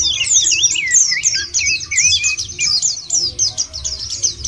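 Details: Singing white-eye used as a lure to prompt other birds; dense, rapid high warbling of looping, zigzag notes without pause, over a low rumble.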